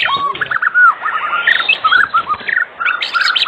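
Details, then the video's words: White-rumped shama singing briskly, recorded as an afternoon lure to get other shamas to sing: short clear whistled notes and slurs delivered in quick, irregular phrases with brief pauses. "Pancingan Sore Murai Batu Gacor di Jamin 100% RESPON buat pancingan murai batu pastol agar bunyi"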